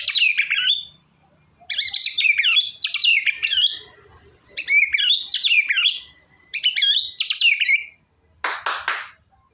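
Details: Lively white-rumped shama song, used to prompt a reluctant shama to sing: five rich whistled-and-trilled bursts separated by brief pauses, ending with a harsh, rasping, broadband double note.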